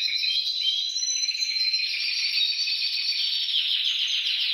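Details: Canary singing to prompt other canaries to sing, a dense, unbroken high trill that rolls steadily and shifts slightly in pitch throughout.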